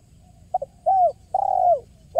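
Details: Spotted dove in 'kuk 1' lure style: a quick double hoot, a gliding falling coo, then a long steady coo, and the next phrase beginning at the very end; low background hum throughout.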